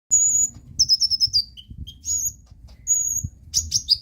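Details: Brown-throated sunbird (konin) in full, active song, used as a lure to prompt other sunbirds to sing: sharp, very high thin chirps and short metallic trills in quick bursts, with brief pauses and a faint low rumble beneath.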